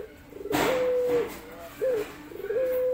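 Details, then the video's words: Male dove courting a female, giving long, steady, low whistled coos, each held for about half a second or more, separated by short rising notes, indoors with a quiet background. "Rintihan Pelung Jantan Mencari Betina"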